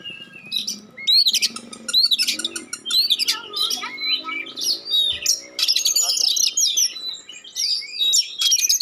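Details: Magpie-robin song of sharp shots and clear notes that prompts other magpie-robins to answer: dense run of quick, varied chirps and slurred whistles with a low droning hum underneath.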